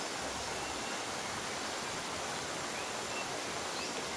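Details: Steady, loud broadband hiss like rushing water fills the whole recording with no animal calls heard.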